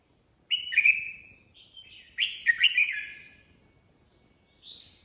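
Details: Improvised song of a red-whiskered bulbul: two loud warbled phrases with sliding, bright notes, separated by a brief soft whistle, ending on a short high note.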